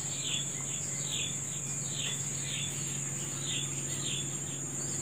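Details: A bird sings in the morning in natural surroundings, giving a run of quick descending chirps spaced roughly half a second apart, with a continuous high-pitched insect buzz and faint low hum behind.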